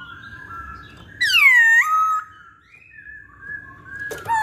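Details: Masked laughingthrush (poksay Hongkong) pancingan recording: one loud, rich whistle that swoops down, then levels off into a steady note. Fainter whistled tones come before and after it, with a short burst near the end.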